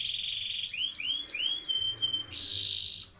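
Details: Canary used as a song tutor for young birds, giving a high buzzy trill, then three rising whistled slurs and a dense rapid roll.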